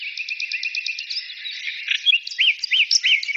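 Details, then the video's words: Birdsong opening with a rapid even series of ticking high notes, followed by mixed twitters and three clear rising-falling whistled slurs. "birds singing"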